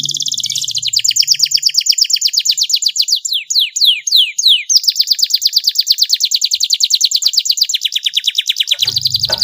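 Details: Long canary masteran song in a fast, sharp style with luxurious variations: a rolling high trill broken mid-phrase by several loud, steep descending swoops, then a steady rapid rattle that ends abruptly.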